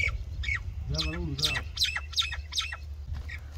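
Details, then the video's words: Common myna singing a varied run of harsh, chattering notes, with a rising harmonic gurgle near the middle and quick squawky phrases around it, over a low background rumble. "Common Myna Bird Song | Common Myna Sound | Common Myna Call | Indian Mynah Sound | Myna Singing"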